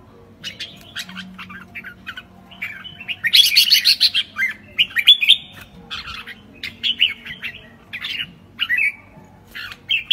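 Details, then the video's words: Red-whiskered bulbul giving a classic "ché" style song: scattered chips, then a burst of harsh noisy chatter, followed by clearer warbled whistles and sharp ticks spaced across the recording. "Chào mào hót ché kinh điển"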